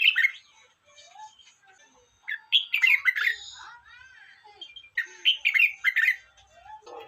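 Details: Red-whiskered bulbul delivering three rich warbled phrases spaced a couple of seconds apart, each a fast tumble of bright rising and dropping notes, with softer low chirps in the gaps.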